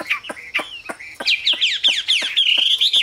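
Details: Short burst of Chinese hwamei song, clear whistled notes sliding up and down, quickening into bright repeated slurs and a sustained high whistle.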